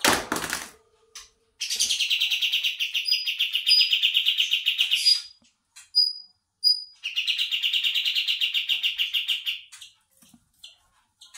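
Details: A bulbul lure call ('kapas tembak') gives two long bursts of rapid, buzzy chattering notes, each lasting a few seconds, with brief thin high whistles slipped in between.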